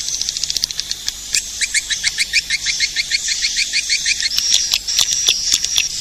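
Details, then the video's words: Swiftlet lure sound for attracting edible-nest swiftlets: busy, high, rapid chirps and clicks, over three per second, loosely spaced and blending into a buzzy twitter later. "Suara pemanggil burung walet"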